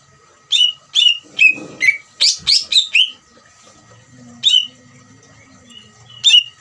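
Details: Greater green leafbird ngeriwik trill meant to rouse other leafbirds into singing: a fast burst of sharp descending notes, then sparse single notes after a quiet gap, with a faint low hum in the background.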